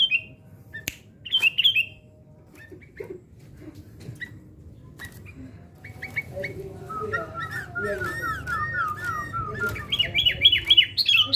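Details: Sooty-headed bulbul kept for fight training, giving scattered chirps then a run of wavering warbled notes and a burst of rapid repeated chattering phrases near the end, with low background hum.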